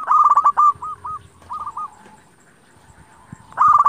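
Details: Local zebra dove in full song, played to provoke rival doves to answer: loud rolling trilled phrase, a few spaced hooked coos, a quiet gap, then another loud rolling burst.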